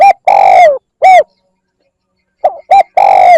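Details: Spotted dove lure call, used to draw in wild doves: loud, clean cooing phrases of short clipped notes, a long drawn hollow coo that sags in pitch, then a final falling note, with a long silent gap between two phrases.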